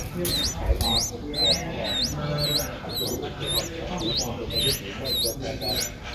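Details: Streak-eared Bulbul chick, one week old, eyes just opened, Ubon Ratchathani, Thailand, 9 April 2023, repeating shrill upslurred squeaks about twice a second against a low rumbling background.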